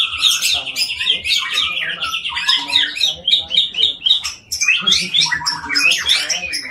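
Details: White-rumped shama from Aceh, a breeding bird in an Indonesian bird farm, praised for a long tail, loud volume and varied, well-ordered song: rapid, dense, varied chattering and whistled phrases repeating about four times a second, with a brief pause near four seconds.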